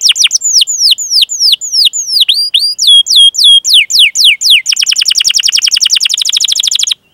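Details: Singing canary for training young birds: varied swooping chirps and short level whistles at first, then a long, very fast buzzy roll of repeated notes before stopping abruptly.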